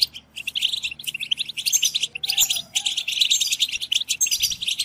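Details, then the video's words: A flock of goldfinches in 'batbata' group song, played to spur goldfinches to sing. Bursts of rapid, high twittering alternate with short gaps, with a brief quieter mid-pitched note in the middle. "بتبتة جماعية لتحفيز الحسون على التغريد"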